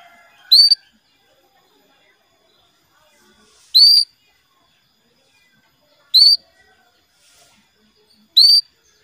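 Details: Female canary calling to the male, used as a lure to get males singing: short bright high chirps with stacked overtones, repeated about every two to three seconds, four calls with silence between.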